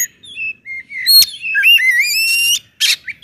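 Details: Oriental magpie-robin singing to spur other kacer: clear drawn-out whistles rising and falling, a harmonic-rich slurred phrase, then short noisy rasps.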